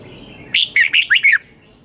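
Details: Red-whiskered bulbul, 2020 morning song in the 'double-twist' voice style, meant for training other bulbuls: a single fast phrase of five loud, liquid whistled notes, rising and falling, then silence.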